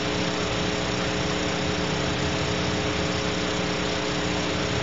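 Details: Constant engine-like hum with steady droning tones, and no animal sound present.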